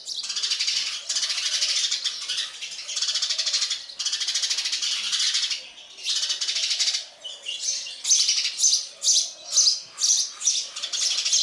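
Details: Sparrow chicks receiving food from a parent make loud, buzzy, hissing begging calls in long continuous bursts, then shorter pulsing bursts about every half second toward the end.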